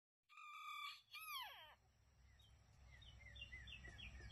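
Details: Rooster crowing once, a drawn-out harmonic note ending in a sharp falling slur, followed by repeated high chirps of smaller birds against steady low background noise.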